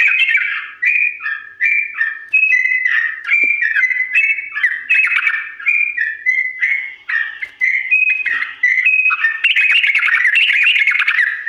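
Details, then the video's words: Long continuous ropel song of a yellow-vented bulbul, played to help birds learn quickly: short whistled phrases repeated without pause, rising and falling, ending in a scratchier, busier burst. "TRUCUK GACOR ROPEL PANJANG NADA PELAN ‼️ UNTUK BURUNG TRUCUK CEPAT MENIRUKAN"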